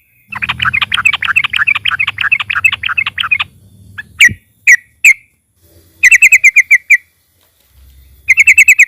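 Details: Loud yellow-vented bulbul (trucukan) used as a lure to make other birds sing. A fast, bubbling chatter of throaty notes runs for about three seconds. Then come scattered sharp chips and two quick bursts of rapidly repeated metallic notes. Faint low hum underneath.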